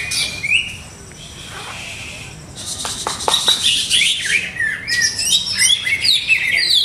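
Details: Greater green leafbird kept caged, its owner still testing its setup; a brief whistle, a quiet stretch, then a sudden outburst of rapid chips, buzzy rattles and jumbled high twittering.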